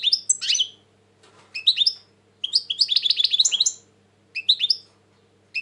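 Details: Tense European goldfinch singing, recorded 2020: loud, tumbling twittered phrases with sharp upslurred notes and a quick rattling run, separated by short pauses, a soft hum in the background.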